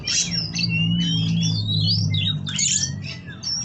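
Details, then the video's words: Captive Oriental magpie-robin (kacer, 'kawat berduri' type) at an Indonesian breeding farm in Kroya, singing a rich, continuous medley of high whistles, rapid chirps and sliding notes, over a steady low mechanical hum. "Kacer Kawat Berduri"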